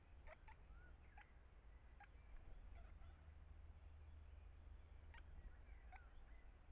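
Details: A great spotted woodpecker gives sharp, abrupt single 'kik' notes spaced irregularly while the parents feed chicks at the nest hole. Soft whistles from other birds come in between the notes.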